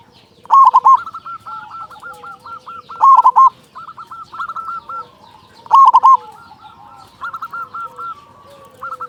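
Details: Song of a local zebra dove with a big voice, used to prompt other doves to sing: three loud, bubbling rolled coos, each repeated roughly every two and a half seconds, over continuous fainter cooing.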